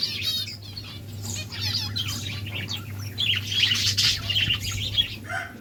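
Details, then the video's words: Several lovebirds chirping together in rapid, irregular bursts of high squeaky notes and short trills, with occasional wing flutters over a constant low mechanical hum. "Lovebirds chirping sounds"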